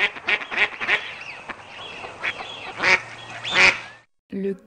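Mallard giving a run of harsh, nasal quacks, several quick ones then a pair more spaced out, followed by a brief spoken voice.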